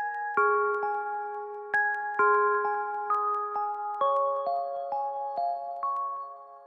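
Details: A gentle glockenspiel-like melody of struck, ringing chime notes in a slow lullaby rhythm, with no animal sound heard.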